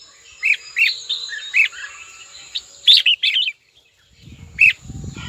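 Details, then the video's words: Caged red-whiskered bulbul calling a rival with spaced, clear whistled notes, then a quick rolling phrase; a low rumbling noise enters near the end. "Chào mào gọi bổi tố chất nhất"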